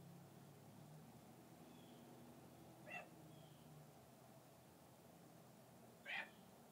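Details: Captive male red-tailed hawk kept for falconry, bathing by his mews and calling to a visiting hawk; two brief raspy squeals three seconds apart, faint thin whistles between, constant low hiss behind.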